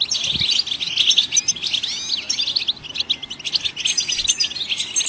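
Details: Goldfinch song from the wild, meant to stimulate songbirds to sing: a continuous bright twitter of fast chirps and upward-sweeping notes, lively and unbroken throughout.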